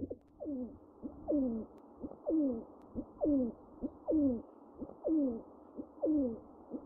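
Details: A steady sequence of pigeons' sliding, descending notes, each about half a second long with a brief lead-in note, recurring almost every second.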